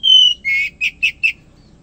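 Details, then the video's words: Morning song of an Oriental magpie-robin in full voice: one long pure high whistle, then a buzzy note and three short emphatic chirps about a fifth of a second apart, over faint low background hum. "KACER HARIAN GACOR KICAUAN PAGI"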